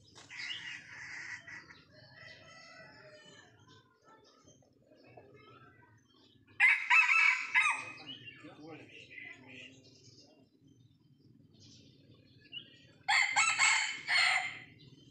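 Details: Young wild Sumatran red junglefowl (Gallus gallus) during traditional decoy-luring give short, harsh, hoarse clipped crows about six seconds apart, over a low steady hum and softer background clucking.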